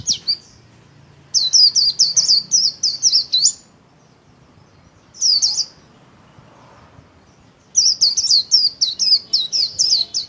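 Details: Caged white-eye singing its líu warble with wings spread: long rapid strings of high, sharp downslurred notes, about three per second, broken by brief pauses and one short burst midway.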